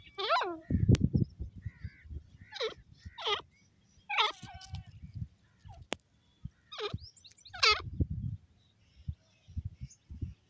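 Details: Grey francolin, or teetar, calling in sharp descending notes that come in short clusters, with low thumping and voice-like sounds filling the gaps between calls.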